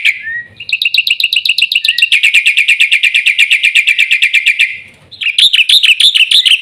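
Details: Black-winged myna singing: a long run of rapid, evenly pulsed whistled notes, roughly two per second, then a short pause and a brighter, harsher burst of notes at a higher pitch.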